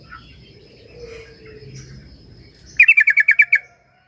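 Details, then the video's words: Sooty-headed bulbul lure song for a bird reluctant to sing: a tight burst of about eight rapid, sharp chirps lasting under a second, after quiet background hum and a faint thin tone. "Pancingan burung trucuk yang malas bunyi"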